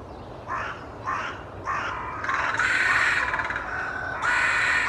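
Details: Carrion crows gathered in a large tree in a wood in Hull, England, calling during a group meeting with posturing and tail fanning: harsh hoarse caws, three separate then a longer overlapping run of rasping calls, loud and close.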